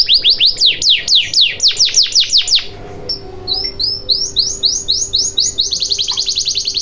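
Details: Canary song played as a lure to get silent canaries singing: quick bursts of high, steeply falling swept notes, a brief pause, then a rolling trill of short rising whistles repeated rapidly, ending in a fast pulsing series.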